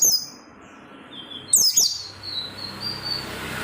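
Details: Oriental white-eye kept to prompt other white-eyes into song: one high, sharp twittering phrase of quick falling notes, then a thin trailing whistle, over faint background hiss.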